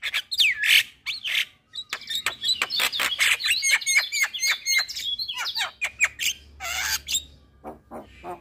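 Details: Lure song of a Javan myna, played to coax silent, stressed or moulting caged mynas into singing: a slurred whistle, then dense fast chattering chirps, sweeping whistles and a harsh rasping burst.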